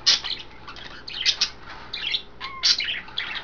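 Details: Indoor pet budgies taking a bath, chattering in quick, scratchy chirps and squawks, with a brief clear whistled note midway among the rough bursts.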